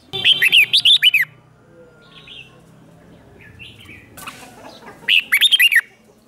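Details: Decoy red-whiskered bulbul luring wild birds with two energetic phrases of about six fast, swooping whistled notes, separated by quiet gaps and faint distant chirps.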